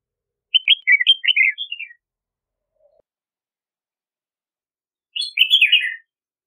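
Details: Red-whiskered bulbul song: two cheerful phrases of quick warbling whistles, each about a second long, separated by roughly three seconds of near silence.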